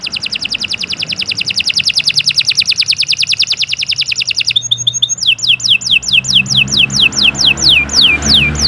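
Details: Canary in full, long, vigorous song used as masteran training material: a very fast, even, high trill of rapid pulses for over four seconds, then a brief buzzy phrase and a series of loud, high, down-slurred whistles.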